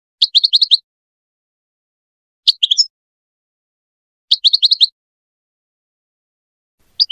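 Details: European goldfinch (Carduelis carduelis) song, Moroccan goldfinch singing used to teach hybrid chicks and goldfinches: bright, high, tinkling twitters in quick bursts of five or six notes, repeated about every two seconds against silence.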